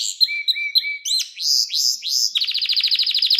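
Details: Canary song for teaching young canaries: a few soft whistled notes, three or four looping upswept phrases, then a fast even trill of rapid repeated syllables.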